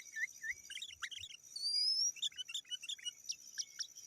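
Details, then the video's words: Sooty-headed bulbul calling to challenge rivals, a recording meant to lure wild birds in the forest: rapid bubbly chirping notes in quick clusters, with thin high rising whistles and a steady high-pitched hiss behind. "Suara Burung KUTILANG GACOR 100% Ampun Untuk Suara Panggilan dan Masteran"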